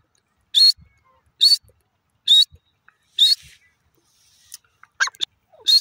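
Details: High, sharp single notes from a grey francolin repeated about once a second, four in a row, followed by a few softer scratchy sounds and one more note at the end.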